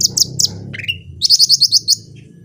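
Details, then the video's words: Loud natural song of cucak rante: three sharp high chips, a rising slur into a flat whistle, then a rapid series of six bright repeated notes, over low background murmur. "CUCAK RANTE GACOR SUARA ASLI"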